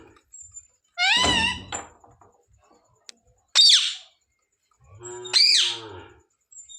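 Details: Pet talking parrot (mitthu) at home giving three separate calls: a wavering harmonic whistle, then two harsh, buzzy squawks sweeping downward, each about half a second long with quiet gaps between.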